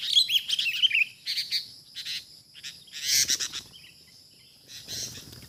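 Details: Sooty-headed bulbul (kutilang), a wild bird acting fiercely when shown a decoy bird during trapping, gives sharp chirps and short chattering bursts in separate spurts, with faint low rustling between them.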